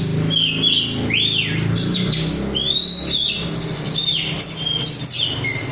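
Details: Oriental magpie-robin, a kept, untrained bird in full song: a run of varied whistled phrases with upward sweeps, long level notes and short downslurs, over a faint low hum.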